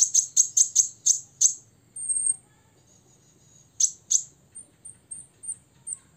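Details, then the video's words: Olive-backed sunbird aged six, singing ngobra to anger rivals: a fast series of about seven very high chips, a thin buzzy note, a pause, then two more chips and soft high ticks. "kolibri ninja ngobra 100% bikin lawan EMOSI"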